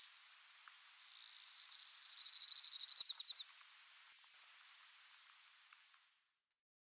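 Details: Brewer's Sparrow long song at sunrise in dense big sagebrush near Silver City, Montana, July 2022, sung early in the day to claim territory: a run of high, buzzy trills shifting in pitch and speed over about five seconds, with faint background calls.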